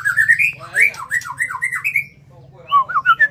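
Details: Contest-grade white-rumped shama in a cage delivering a rapid varied song of rising and falling whistled notes mixed with harsh squawky bursts, backed by a low steady hum.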